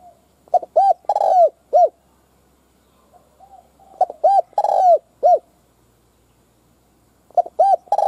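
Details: Decoy spotted dove cooing to entice wild doves, giving three repeated phrases about three seconds apart. Each has quick notes, a long sustained coo and a final rounded coo, with soft murmured coos between.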